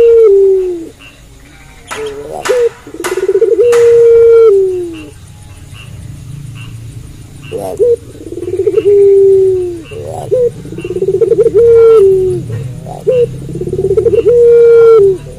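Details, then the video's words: Barbary dove of the puter pelung style singing actively at night; repeated phrases of a short rising note, a rapid pulsed roll, then a long drawn-out low coo that slides down at the end, with a few sharp clicks between. "Puter Pelung Gacor Manggung Malam Hari"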